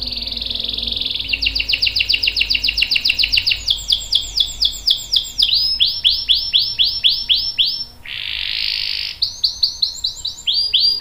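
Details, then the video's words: Long-rolling canary song meant to teach young canaries: a steady buzzy note, then runs of fast repeated downward-sweeping notes, switching between trill speeds, another steady buzzy tone midway, then more swept notes. "KENARI GACOR NGEROL PANJANG bagus buat pancingan dan masteran kenari paud dan dewasa"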